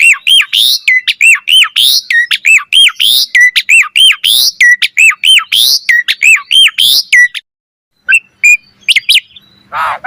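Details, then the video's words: Tutor song from a highly active Asian pied starling: rapid, repeated hooked notes pour out for about seven seconds, then a brief pause and a few scattered whistles and a harsh rasp. "Jalak Suren Gacor Full Isian Cocok Buat Masteran Suara Burung Jalak Agar Gacor Full Isian Mewah"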